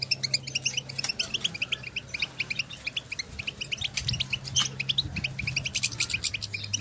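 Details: Out in nature, European goldfinches call among themselves. A long, lively stream of quick high chirps and twitters repeats several times a second, over a steady low hum with occasional clicks.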